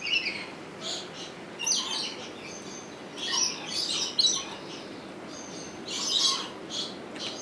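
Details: Rainbow lorikeet in Opole Zoo, filmed on a Sony HDR-XR160E: a chattering series of shrill, raspy squawks and short chirps, coming irregularly every second or so.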